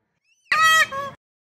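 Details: Peacock roaming free at a temple in Taos, giving one of its several calls, a two-part sound likened to "A-hole": a loud harsh, nasal first note, then a shorter, lower second note, with a faint brief whistle just before.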